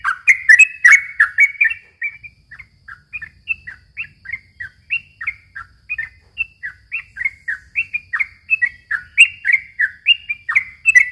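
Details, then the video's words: Yellow-vented bulbul, a lure for young birds: loud opening burst of bubbly notes, then a long even string of short rising and falling chirps about three per second. "suara kicau trucukan gacor ropel panjang ini ahlinya buat pancingan trucuk bahan muda"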